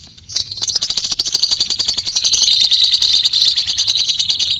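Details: Lovebird with a white beak giving a long ngekek trill: a rapid, buzzy, chattering run of high notes that builds in loudness and continues unbroken to the end.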